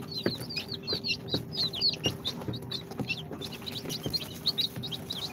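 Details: Incubator-hatched chicks on their second day, Sultan, Golden Sebright, Cochin and booted breeds, chirp in a busy chorus of sharp high peeps, bunched in quick runs, with soft tapping and pecking sounds and a low electrical hum behind.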